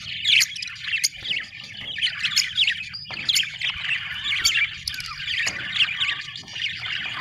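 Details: Several happy budgerigars keep up a lively chirping chatter of quick squeaks and warbled notes, in loose bursts with brief gaps, over a soft low hum.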